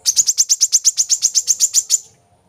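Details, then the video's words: Lure recording of a brown-throated sunbird for captive birds: a steady burst of about sixteen shrill, metallic chirps over two seconds, evenly spaced, then silence. "kolibri kelapa | manggar | wiceh | pancingan burung korlap metalik gacor untuk burung bahan"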